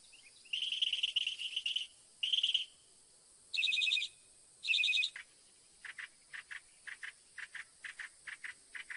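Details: Northern mockingbird song with several distinct phrase types: harsh buzzy trills, then two loud doubled whistled bursts, followed by a repeated run of short clipped notes.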